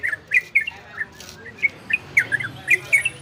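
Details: Orange-spotted bulbul, ropel and garudo song style for stimulating breeding condition in other birds: sparse, separated chirpy warbles, a few notes per second with quiet gaps between.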